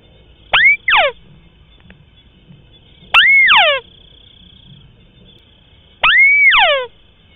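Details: Lure recording of a white-browed crake for hunting in marshes and rice paddies, unedited: a double sharp note, then two calls about three seconds apart, each a held arched whistle breaking into a quick descending cascade, over a constant high-pitched hum.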